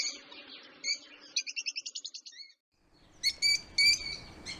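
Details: Lovebirds chirping, as they do when playing, eating or excited: high buzzy chirps, then a quick run of about ten rapid notes, a short pause, and bright piercing repeated chirps with harmonics.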